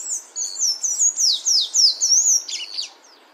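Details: In nature, a sayaca tanager gives a rapid stream of high-pitched, squeaky, slurred notes, ending in a few rougher chattering notes.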